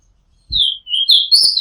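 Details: Song of an Oriental magpie-robin taped from a home rooftop in Thailand: loud sweet whistles slurring downward, then a run of brighter, higher ringing notes, with a soft low thump near the start.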